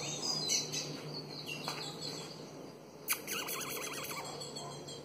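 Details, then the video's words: Female Ultramarine grosbeak soliciting mating: sparse short high chirps, then a sharp note and a rapid wavy warbling trill lasting about a second, over steady faint background hiss. "Azulão fêmea pedindo gala"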